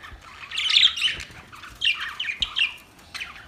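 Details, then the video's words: Budgies chirping while fighting, October 25, 2023: short scratchy warbled phrases in quick clusters, separated by brief gaps, with light background hiss. "Budgies chirping sounds | Budgies fight"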